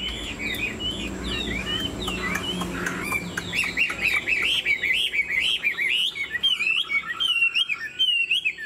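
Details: A caged Chinese hwamei, about 90% purebred, sings with wing-flicking display and head-bobbing dance: a loud, rich, fast, continuous stream of varied whistles and slurred rising and falling notes over a faint low hum.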